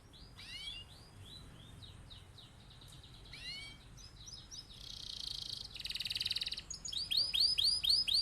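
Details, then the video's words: Canary singing a long rolling master song meant to prompt other birds to sing along. Trills of high swooping notes give way to a dense buzzy roll, then loud rapid repeated chirps; faint background rumble. "Kenari gacor cocok buat pancingan atau masteran burung"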